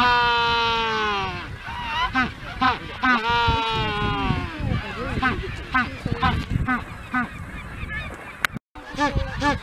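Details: Magellanic penguin on Magdalena Island in the Strait of Magellan, Chile, giving its honking mating call: long braying honks that fall in pitch, then a series of shorter gasping brays, rich in harmonics, with a brief break near the end.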